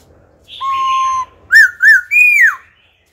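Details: Phrase-switching wild-style song from an old wild-caught laughingthrush, meant to stimulate and school young birds: buzzy high notes over a long even whistle, then two bright arched notes and a sweeping falling slur.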